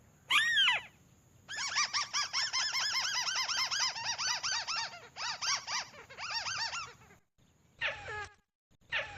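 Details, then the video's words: Crake call used as a bird lure: one loud rising-falling squeal, then a long rapid run of arched, squeaky notes lasting several seconds, followed by brief harsh calls, with a steady high hiss throughout. "SP.BURUNG TIKUSAN MP3"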